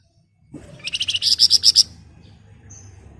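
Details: Flamboyan giving ngebren rapat chatter: a swelling run of about ten fast, shrill, buzzy notes, growing louder toward the end before stopping abruptly, with a faint thin whistle afterwards.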